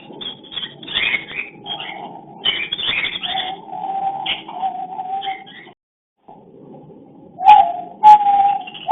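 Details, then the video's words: Breeding cockatiels on a hidden camera, calling while mating: a rapid series of sharp chirps and squawks over a sustained mid-pitched tone, a short silence, then several loud abrupt notes. "Love Breeding / sound voice (mating/Crossing) cocktail love bird"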